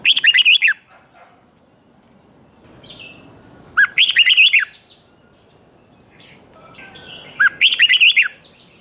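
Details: Competitive singing of a red-whiskered bulbul, played to spur another into song-duelling: short rich warbled bursts of several rapid notes, repeated about every three and a half seconds with silence between.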